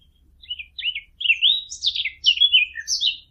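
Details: Fig bird sound used for hunting: clear high warbling phrases of short slurred whistles, sliding up and down in quick succession, the bird singing alone against a quiet background with a slight low hum.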